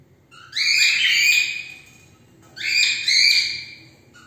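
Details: Cockatiels calling: two loud, harsh, whistled screeches about two seconds apart, each rising and then wavering, rich in overtones, with little else audible.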